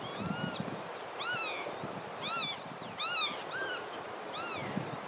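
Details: Calls of a marsh sandpiper: a series of about seven ringing, arched whistled notes with strong overtones, spaced roughly half a second to a second apart, over a low rumbling background.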